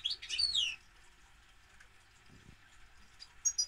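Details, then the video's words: European goldfinch opening with a rich, fast jumble of liquid twittering and descending slurred whistles, then a long quiet stretch with a few faint high notes and a brief high chirp at the end. "Goldfinch - Jilguero"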